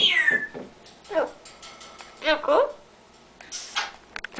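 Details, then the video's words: Pet Amazon parrot talking indoors as its owner types; opens with a high whistle sliding downward, followed by short gravelly, speech-like syllables and a harsh burst near the end. "Amazon Bird Tommy Peek a boo"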